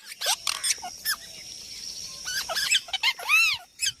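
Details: Parrot calling in a comic, chatty bout: scattered short chirps and sharp squeaks, then a run of arched, harmonic, whistled notes rising and falling, with brief quiet gaps between bursts.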